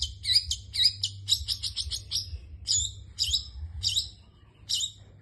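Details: Long-tailed shrike giving its coughing call: a rapid run of harsh, rasping, chattering notes, then single scratchy notes repeated roughly every half to one second, with a low steady hum beneath.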